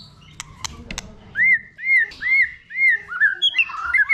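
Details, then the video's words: White-rumped shama singing to rouse a young bird: a few dry clicks, then four clear arched whistles repeated about every half second, ending in a quick tumbling, varied phrase. "kích lửa dìu lửa cho chòe lửa bổi. kích chòe lửa căng lửa"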